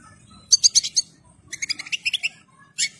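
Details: European goldfinch, described as pure-bred, ready and in full plumage. It sings a rapid, high tinkling twitter in short bursts of bright chirps separated by brief pauses, over a faint low hum.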